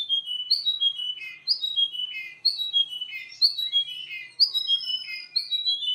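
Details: Russian canary singing a varied series of whistled downslurred phrases, each sliding from high to lower pitch, with brief pauses between phrases.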